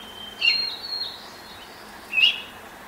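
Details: Baltimore oriole in a neighbour's apple tree at 5:40 a.m., 10 May 2024, singing as the sun rises; two short whistled notes about two seconds apart over soft background birdsong.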